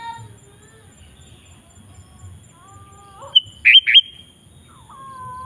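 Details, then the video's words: Sooty-headed bulbul calling out to wild bulbuls: a short sharp note followed by two loud buzzy chirps, with softer whistled tones from other birds before and after. "Suara Burung KUTILANG GACOR Memanggil Kutilang Liar Ikut Gacor"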